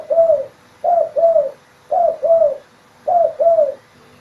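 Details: Spotted dove in full song, giving soft, hollow double coos in steady succession. Four paired phrases come roughly a second apart, each note sliding gently downward, with a faint low hum between phrases.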